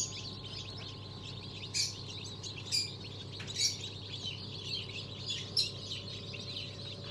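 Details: Newly hatched chicken chicks from a December 2022 hatch of mixed breeds; faint, thin peeping in the background, with louder sharp bursts about once a second and a steady low hum.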